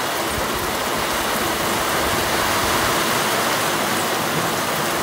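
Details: Steady, loud rushing noise like a waterfall or heavy stream fills the whole clip, with no animal voice heard.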